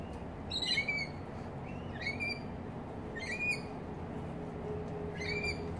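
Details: Rainbow lorikeets feeding on fruit beside a house in Australia; short rising chirps with bright overtones, given in small clusters about every one to two seconds over a low background hum.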